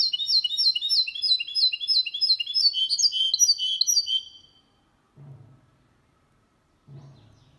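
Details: Goldfinch-canary hybrid song, clean and without errors, recorded in 2022 to stimulate males and teach young birds. Lively high twitters and trills for four seconds, then silence broken by two low thumps.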